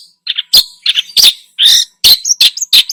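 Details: Short burst of long-tailed shrike lure song stuffed with imitated phrases, mixing harsh rasps, squeaky chirps and high thin whistles in quick succession, nearly three notes a second.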